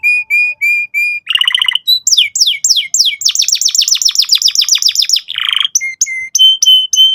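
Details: Canary song aimed at young canaries learning to sing. Four steady whistles open it, then a buzzy roll, a series of swooping down-slurred notes, a fast chattering trill, another buzzy tour and a few spaced whistles.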